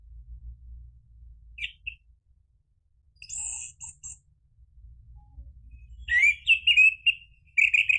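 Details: Orange-headed thrush lure song in gacor, ngeplong style, meant to prompt other birds to answer: sparse high whistled notes early, then a burst of rich, warbled phrases near the end over a faint low hum.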